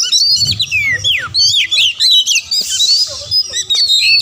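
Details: Oriental magpie-robin song played to spur rivals into singing: clear whistled notes sliding steeply downward, then a hissing burst and further short high whistles, delivered in choppy bursts.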